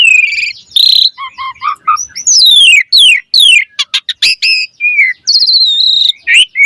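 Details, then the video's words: Asian pied starling in rapid varied song: buzzy phrases, a string of short piping notes, sweeping downslurred whistles, sharp clicks and a long trilled whistle near the end. "Pancingan Jalak Suren Gacor Mompa Variasi Suara Burung Kicau Cepat NYAUT Gacor Full Isian Mewah"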